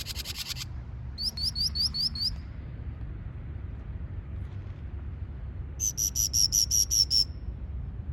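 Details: A bird gives several different chirps: a brief buzzy burst, then a run of six quick high upslurred chirps, a pause, then a faster series of thin descending whistled notes, over a low steady background rumble.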